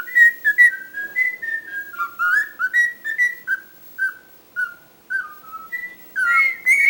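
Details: Talkative pet cockatiel whistling a tune-like run of clear notes that step and slide in pitch, some held longer, with a few pauses and a louder rising whistle near the end, indoors.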